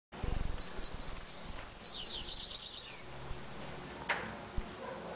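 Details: Caged saffron finch (jilguero) from Trenque Lauquen singing a repique, golpe and pitadas style: rapid, very high buzzy phrases of descending notes for three seconds, followed by a few isolated thin high pips.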